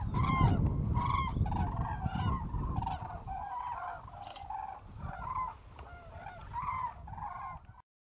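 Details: A migrating flock of common cranes passes over the Strabrechtse heide on 5 March 2013. Many birds give overlapping bugling calls almost without pause, with wind rumbling strongly at first and then fading.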